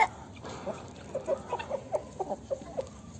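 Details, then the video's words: Farmyard hen clucking softly, a quick series of low short clucks roughly every quarter second above background hiss. "GALINHA CANTANDO NO TERREIRO DA FAZENDA. Som da Galinha. Galinha cacarejando."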